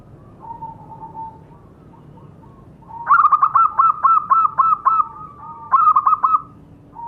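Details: Zebra dove lure call played to make captive birds call: a soft drawn-out coo, then a loud run of rapid staccato coo notes, about seven in quick succession, with a brief pause and another burst, over low background hum.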